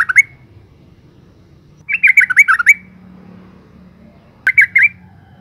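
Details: A calling female yellow-vented bulbul, used as a lure to excite males into song. Brief harsh chirps are followed by a rapid run of about six chattering notes, then a pause, a sharp click and a final short burst of three notes.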